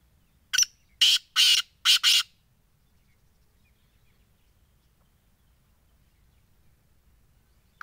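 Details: Black francolin (black titar, titar sultan) calling: one sharp introductory note, then three loud, harsh, rasping notes, the last one split in two, all within about two seconds, followed by quiet outdoor background.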